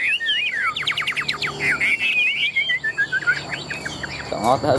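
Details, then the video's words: Competition-trained captive Chinese hwamei: a fast run of sharp rising sweeps gives way to a looping, wavering whistled warble that descends. A brief human voice is heard at the end. "Họa mi thuần đét, Bộ to - Đấu hót rất tốt"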